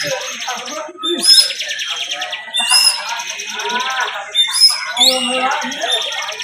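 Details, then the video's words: Competition bar-winged prinia delivering full 'bren' song: dense, rapid high trilling in bursts roughly every one and a half seconds, sharp whistled upslurred notes on top, several birds overlapping and faint background music. "LOMBA CIBLEK FULL BREN"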